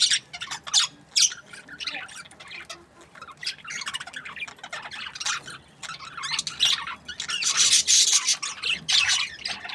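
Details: Budgerigars in breeding season calling in uneven bursts of sharp high chirps, quieter in the middle and building to a loud, dense squawking cluster near the end.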